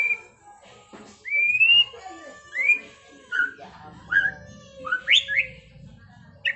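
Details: White-rumped shama (Copsychus malabaricus) in training-style 'trontolan ngerol' song: clear whistled notes, some rising and some falling, given in short phrases about every half to one second, with faint low background rumble.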